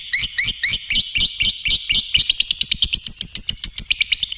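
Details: Lovebird singing energetically, a fast stream of high, sharp chirps, the first notes spaced and looping, then tightening into a quicker, even run of clipped twittering syllables.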